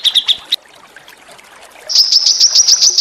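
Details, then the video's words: A few sharp, high chirps from small songbirds stop abruptly. After about a second of quiet comes a very high, fast trill. The recording is meant to provoke white-rumped shama into lively singing. "masteran burung kecil agar murai batu gacor AMPUH buat PANCINGAN murai batu agar bunyi EMOSI"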